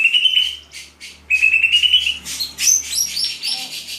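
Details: Greater green leafbird, described as singing 'on fire', delivers high whistled phrases: a long steady whistle, a pause, a second rising whistle, then a burst of fast sharp chirps and trills.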